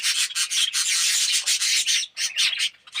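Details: Aviary colony of Australian red-eyed budgerigars, yellow birds, heard as a loud harsh raspy chatter in close, rapid bursts.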